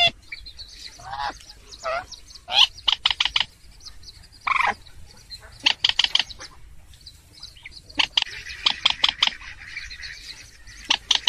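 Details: Purple swamphen calls played as a trapping lure: loud bursts of harsh, nasal, harmonic squawks and cackles in irregular clusters, with short rapid stuttering series between pauses.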